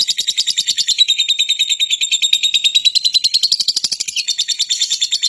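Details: Lovebird keeping up a continuous high, grating chatter of fast pulses, the squeaky notes rising and falling slightly in pitch as they run on.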